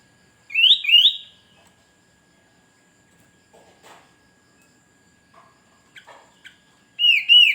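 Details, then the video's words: Sooty-headed bulbul calling to lure wild birds and challenge rivals: a pair of bright upslurred whistles, then a long quiet stretch with faint clicks and ticks, and another rising whistled phrase at the end. "Kutilang berbunyi memancing burung Liar gacor"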